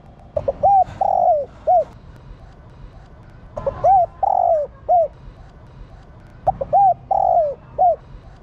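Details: Female spotted dove calling to stimulate male doves. Three repeated phrases roughly every three seconds, each made of short introductory notes, an arched coo, a longer falling coo and a closing brief coo.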